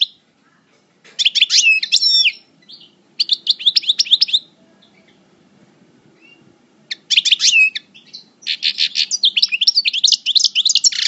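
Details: European goldfinch of the parva subspecies, in moult, at El Bordj, singing in the coupleur style: two bursts of bright twittering and buzzy trills, a pause of several seconds, then two more rapid tinkling phrases.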